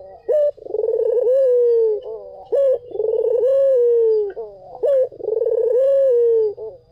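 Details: A white (albino) collared dove gives low, rolling coos, each a short note followed by a long, slightly falling purr, repeated about every two seconds.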